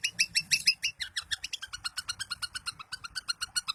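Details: Long-tailed shrike in Daput-style song meant to make other shrikes sing eagerly and agitatedly. It is a fast, continuous chatter of varied short notes, about three per second, that start high and buzzy and then settle into lower, repeated chirps.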